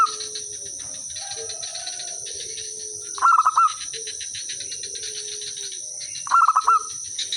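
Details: Zebra dove singing as a lure to provoke replies: two brief bursts of fast, stuttering coos three seconds apart, with soft thin whistles from other birds and a continuous high insect hum throughout.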